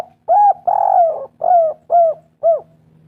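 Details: Lure song of a spotted dove: a short coo, a long rolling coo, then three arched coos dropping slightly in pitch at regular half-second intervals, with a faint low hum throughout.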